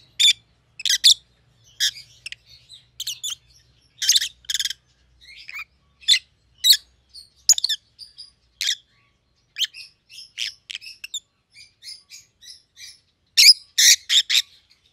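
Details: Captive rosy-faced lovebirds, white-headed pallid and green opaline birds, chattering steadily with rapid harsh chirps and squeaky notes in irregular bursts, several loud clustered calls at start and end, almost no pause throughout.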